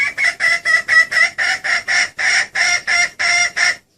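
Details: Red junglefowl hen calling so the male comes at once: a loud, fast series of about twelve buzzy clucking notes, evenly repeated roughly four times a second, ending abruptly.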